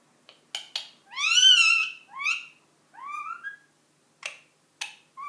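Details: Ten-month-old ring-necked parakeet kept as a pet doing odd noises: sharp clicks, a drawn-out wavering nasal squawk, two shorter upward-bending calls, then more scattered clicks.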